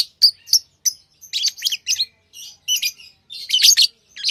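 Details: Quick, irregular lovebird chirps, with short shrill clipped notes coming several per second in loose clusters, rising to a louder cluster near the end.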